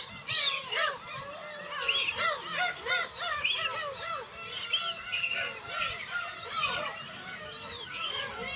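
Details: Dense chorus of Black-tailed gulls at the Kabushima breeding colony in Hachinohe, Aomori, Japan, on 10 June 2020, chicks present, recorded on a GoPro HERO8: many harsh, mewing calls overlap continuously, some bending upward then down.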